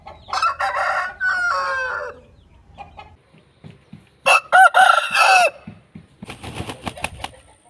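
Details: Aseel rooster crowing, with a long, rough crow that falls in pitch at the end and a second strong crow midway. Clucking, scattered clicks and a low rumble fill the background between them.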